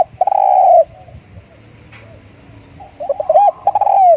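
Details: Decoy spotted dove calling: a long, loud, slightly falling coo opens, followed after a quiet pause by a cluster of short arched coos ending in another drawn-out, downward-sliding note.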